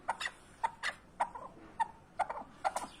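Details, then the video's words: Partridge giving short clucking notes in loose pairs, a sharp note followed by a softer one, repeated about every half second. "Keklik sesi huzurludur )the sound of partridge is peace )звук куропатки мир ) صوت الحجل سلام"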